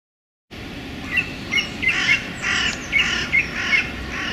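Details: Male song thrush singing in a small London park on a sunny January day: a run of loud, slightly harsh, broadband notes and short chirps in quick succession, over a steady low background rumble.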